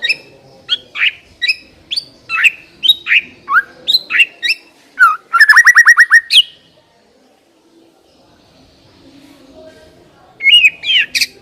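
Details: Lure song of a white-rumped shama, meant to make a shama start singing: a long series of varied sharp whistled phrases, a fast rattling run of repeated notes, a pause, then more bright whistles.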